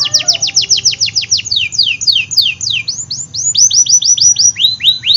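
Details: Canary in vigorous song, meant to prompt hard-to-start and young canaries: continuous fast sequence of high downslurred notes, about four per second, shifting into looser rising-falling swoops, over a soft low hum.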